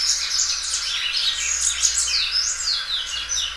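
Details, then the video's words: Well-kept Belgian canary singing loud: an unbroken stream of high warbled notes, swooping whistles rising and falling in rapid succession with no pause. "canário belga dobrando o canto."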